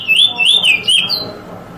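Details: Eurasian Bullfinch recorded in 2022 singing drawl and weet song tours: a few rich, swooping whistled notes rising and falling, closing with a higher thin drawn-out whistle.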